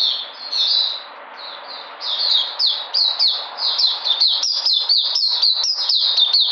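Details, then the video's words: Recorded on 13 February 2020, a white-eye described as coming back in energy starts with a softer, blurred warble. It then breaks into a brisk run of crisp, high, falling notes that quicken toward the end. "Puteh Sunday coming back in energy"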